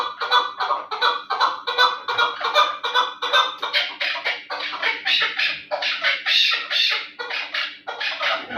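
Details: Terali chukar partridge, kept for fighting and hunting, repeating loud, coarse chuck notes in quick succession, roughly two and a half per second, becoming fuller and louder midway through.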